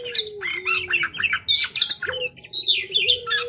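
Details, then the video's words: White-rumped shama singing: rapid varied phrases mixing rich whistles, harsh chatter and upward sweeps, nearly unbroken, over a constant low hum. "Burung Kacer Super Mewah"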